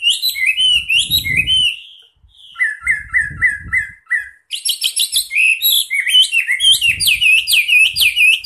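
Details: A wambi in full song, used as a training and lure recording for other birds, sings a lively high-pitched song of quick chirps, slurred whistles and rapid runs of repeated notes, with a few soft low thumps in between.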